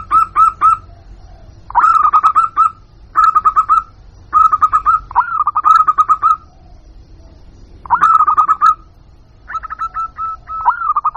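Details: Zebra dove, local type, calling as a lure for wild birds: repeated clusters of three to six fast, rolling, slightly buzzy coos on one pitch, each cluster separated by about a second of quiet.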